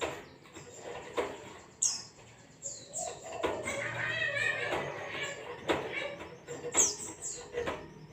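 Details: Ngalas-style white-eye song for training a pet bird to sing: scattered high, falling whistles, a burst of quick warbled chatter in the middle, and sharp clicking sounds throughout.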